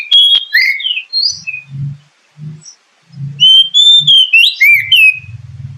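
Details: Oriental magpie-robin song as a lure for kept birds: varied whistled phrases with rising and falling slides, broken by low muffled knocking, then a second loud whistled run.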